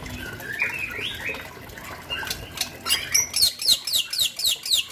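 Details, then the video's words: Bali myna, male and female named: soft rising whistles at first, then a rapid run of sharp, descending squawky notes repeated about four times a second to the end. "JALAK BALI JANTAN JALAK BALI BETINA"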